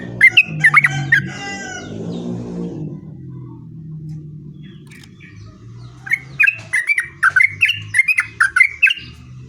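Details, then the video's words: Yellow-vented bulbul singing a long, rapid rolling song meant as a lure to draw other bulbuls into answering. Bubbly, chattering two-note chirps come in bursts at the start and again after a pause, over a steady low engine-like hum. "trucukan gacor ROPEL PANJANG buat pancingan trucukan agar bunyi"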